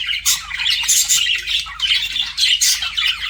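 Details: Budgerigars flirting: loud bursts of scratchy, squawking chirps packed closely together, with brief softer gaps between the louder phrases.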